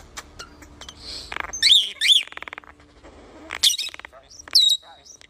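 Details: European starling in a varied song of sharp clicks, rattling pulses and wavering high whistles, ending in a long level whistle, with gaps of near silence between phrases.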